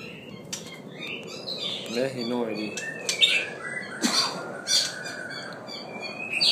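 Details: White-rumped shama, halfway through its moult, giving scattered short whistled and chattering notes, high and varied, with gaps between phrases; a brief voice-like sound early on.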